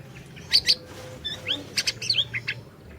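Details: Orange-bellied leafbird singing vigorously, recorded as a lure for a silent bird: sharp doubled chips, short upslurred whistles and harsh buzzy bursts in quick succession, with a low background hum.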